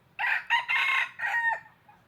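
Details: Decoy red junglefowl rooster crowing to lure wild junglefowl for trapping: one loud crow in four joined bursts, harsh and harmonic-rich, the last part held and then dropping sharply at the end, with quiet background hum.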